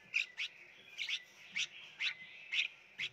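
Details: Red-whiskered bulbul chicks being hand-fed in a nursery box at a bird-raising farm in Phetchaburi province, Thailand, beg for food with short, harsh, high chirps given in quick pairs about every half second. A faint steady hum runs underneath.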